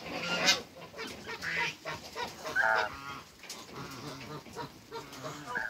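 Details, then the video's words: A pair of African geese meeting on a Greek farm: scattered, softer honks and nasal calls at uneven intervals over a busy background of other farmyard noise. "TRYING MEETING AFRICAN GEESE COUPLE"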